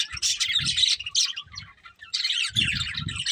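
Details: Breeding pair of colourful budgerigars giving quick bursts of scratchy, twittering chirps, broken by a brief pause, with soft low thumps beneath.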